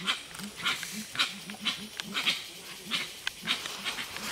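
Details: At Tiputini Biodiversity Station in the Ecuadorian Amazon, Gray-winged Trumpeters utter soft, low, booming notes in an uneven series, with loud, scratchy, crackling sounds throughout.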